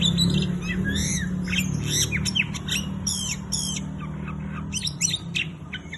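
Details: An Oriental magpie-robin pours out rapid harsh squawking notes mixed with whistled slurs, delivered in quick bursts of several per second over steady low background rumble.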